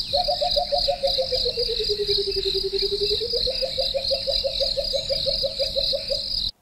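Burchell's Coucal gives a long bubbling run of low hoots that slides down, levels off, then climbs back up. A steady high insect drone runs throughout.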